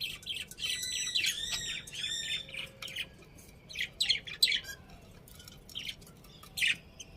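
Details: Pet budgerigars chirping steadily: fast, buzzy, harmonic warbling in the opening seconds, then scattered bright chirps and squeaks spaced through the rest, in a quiet setting.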